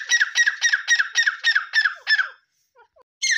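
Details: Harsh, rasping black francolin notes in a fast series of about eight calls. A pause follows with a few faint soft notes, then the loud grating calling starts again.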